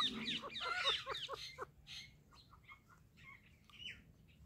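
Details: Indian ringneck parrot kept as a pet, talking with quick clipped chattering syllables, a fast run of repeated notes early, then softer scattered chirps and a brief whistled note.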